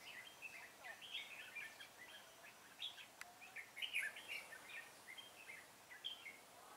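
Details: Decoy red-whiskered bulbul singing during a trapping session on 25 April 2017 to draw in wild bulbuls: a steady run of quick chirpy, warbling notes, briefly louder near the four-second mark, against light outdoor noise.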